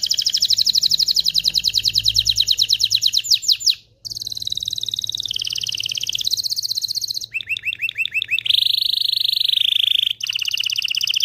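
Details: Long canary song for encouraging mating: fast even trill, then a smooth warbling tour shifting pitch, a clicking rattle, and a loud sustained lower trill, with faint low hum under it.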